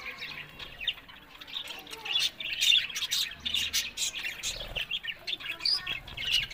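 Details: Happy pet budgerigars warble and squawk in bursts, with busy high chirping and scratchy notes coming about twice a second, rising and falling in loudness.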